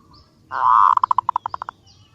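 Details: A female zebra dove calling a male, used as a trapping lure: a sustained buzzy, burring note, followed by a run of about ten short, evenly spaced staccato pulses that fade out.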